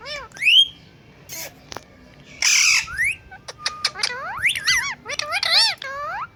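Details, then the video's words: On a bird stand, talking and dancing parrots produce a busy run of bent, harmonic squawks and gliding whistles, ending in quick rising and falling arched notes. "Talking Parrot|parrot talking On Birds Stand"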